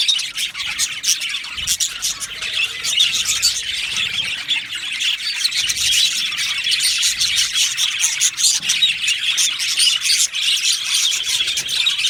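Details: A budgie colony calling in an aviary, a long stretch of rapid high chirps, squawks and warbles from many birds, the noise thickening and staying constant throughout.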